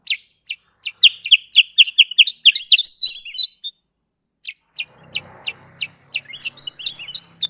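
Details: Sooty-headed bulbul lure sound used for bird trapping: sharp, high chirps repeated rapidly in a quickening burst, a short pause, then a slower series of spaced chirps with faint low background hum.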